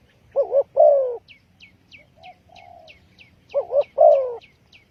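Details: Spotted dove calling as a trapping lure: two full phrases, each a doubled short coo and a longer descending croon, separated by a soft faint coo, with thin, high, repeated chirps of another bird throughout.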